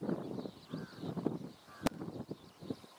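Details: Western reef heron, a single individual at a small pond in the Hessarghatta lake bed, giving harsh, low, guttural croaks in short bursts about every half second, over a rough outdoor background with a sharp knock.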